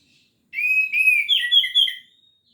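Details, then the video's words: Orange-headed thrush singing in full voice, song also used to stimulate other thrushes that sing rarely: a quick string of clear whistled notes, rising then wavering higher and falling away, with nothing else heard. "Anis Merah Gacor Teler full materi"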